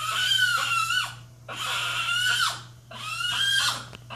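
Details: An excited pet macaw, indoors while the TV is on, gives three loud, harsh, raspy screeches, each about a second long, roughly every one and a half seconds, over a low steady indoor hum.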